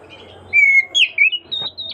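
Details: Oriental magpie-robin singing continuously while calling its companion: a long level whistled note followed by slurred, rising and falling whistled phrases in quick succession over a faint steady low hum.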